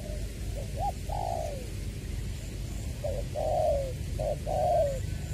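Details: Decoy spotted dove from Trà Vinh, Long Đức, Vietnam, dated 22 February 2021, with a voice described as true "tiểu": short soft coos followed by longer gliding, downward-slurred coos, repeated in two phrases against a constant low hum.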